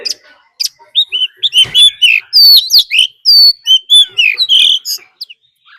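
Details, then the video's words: Oriental magpie-robin used as a decoy, singing its fighting song with a wild female calling; after a quiet start, loud sweet whistled phrases, quick upslurs and chattering notes follow one another almost without pause. "Choè than mồi hót đấu +tiếng chim mái rừng"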